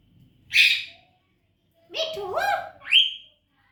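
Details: A baby parrot, described as moody, talking: a short high squeaky note, then a run of voice-like syllables with shifting rising and falling pitch, ending in a clear upward-sweeping squeal.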